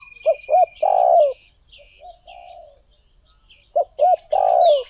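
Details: Spotted dove singing: two low phrases, each two short hollow coos then a long rolling, falling coo, several seconds apart, while small birds twitter and chirp high in the background.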